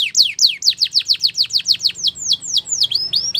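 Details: Female Belgian canary in morning song: a brisk run of loud, steeply falling high whistles, roughly five per second, slowing slightly and turning into softer upswept notes at the end.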